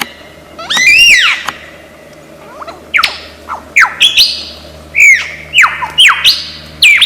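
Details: Lyrebird, an Australian forest mimic. It gives a loud, harmonic, arching call, then a series of sharp whistles that slide steeply down and rise again, repeated with varying pitch at irregular intervals.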